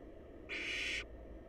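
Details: Wild barn owl chicks huddled in a monitored nest box, waiting for their next meal: a single harsh, breathy hiss lasting about half a second, steady and broad, over a low constant background hum.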